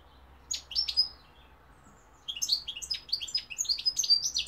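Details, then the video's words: European goldfinch, likely a caged singer, in a twittering bout of high chirps and short buzzy trills, a brief burst then a long fast run of tinkling notes after a pause; quiet low hum underneath. "goldfinch p throat sign 2021 مقنين الحسون"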